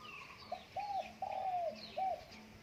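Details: A quiet, distant-sounding phrase from a Spotted dove kept at home in strong wind: four soft hollow coos, the third longest, over a hissy background.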